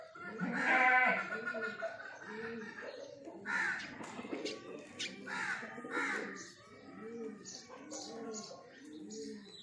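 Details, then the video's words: A breeding pair of pigeons gives a series of low, rounded coos in regular succession, mixed with loud, harsh caws from other birds. "Breeding pair pigeon"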